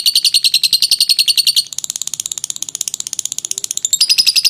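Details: Clear lovebird ngekek, a long song used for training: loud quick pulses, then a thinner, higher and softer run of clicks, then loud chattering again at the end.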